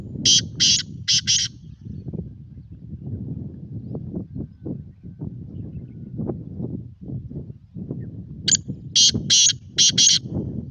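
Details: Black francolin calling outdoors: two bursts of four or five harsh, grating, high-pitched notes, one at the start and one near the end, over a steady low rumble of background noise.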